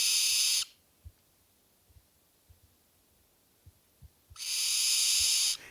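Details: A Barn Owl, which screams rather than hoots, gives two raw, hissing screams: a brief one, then a longer, harsher one about four seconds later, with near silence between.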